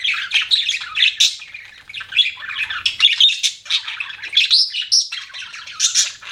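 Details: Budgerigar chatter, a dense continuous warble of buzzy chirps, squeaks and rapid scratchy notes with barely any pause.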